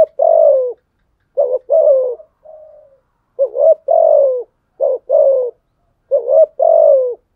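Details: Spotted dove challenge coos that provoke wild males. Repeated phrases of a short throaty note and a longer hoarse coo that slides down, with one quiet murmured note between them. The background is silent.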